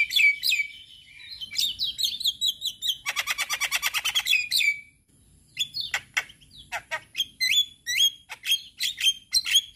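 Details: A male Javan myna, used as a tutor for other mynas to learn sounds, runs through varied whistles and chirps, with a harsh rattling burst midway, then sharp repeated notes at a quick pace.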